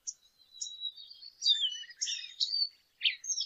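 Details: Lesser goldfinch song with a long thin level whistle, then bursts of jumbled high chirps and buzzy slurred notes, separated by brief pauses.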